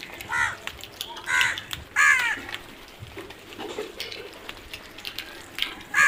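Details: Crows calling: harsh, downward-arching caws repeated about once a second, with quieter caws between and a faint background hum.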